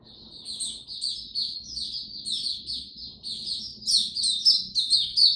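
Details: In very humid, warm weather on 26 March 2022, a white-eye delivers a long run of high, thin, sweet twittering notes that grows louder toward the end, over a soft low background rumble.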